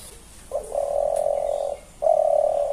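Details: A pigeon indoors in a house gives two drawn-out, low humming coos, the first over a second long and the second shorter after a brief pause, in a quiet room.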